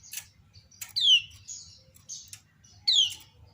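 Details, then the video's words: Calling female common iora provoking other ioras to answer: two bright, downward-slurred chirps about two seconds apart, with short buzzy whistles and clicks between them and a quiet low background hum. "Ciak Betina Burung Kecial Kuning Memancing Bunyi Banyak Kecial lain Nyaut"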